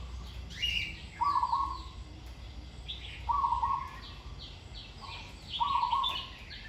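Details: Zebra dove in training, singing with good phrasing: three rapid trilled coo phrases about two seconds apart, mixed with many thin, descending chirps from other birds.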